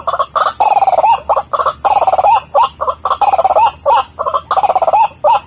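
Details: White-breasted waterhen calls played as a lure: loud, rapidly repeated harsh notes with bending tones, in bursts about a fifth of a second apart, pausing briefly between phrases, steady through the stretch.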